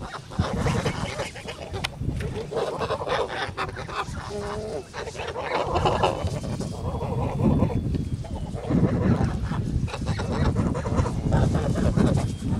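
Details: On a farm on 10 August 2017, a flock of Kholmogory geese gives harsh, nasal honks, with one clear drawn-out call near the middle over steady low rumbling noise.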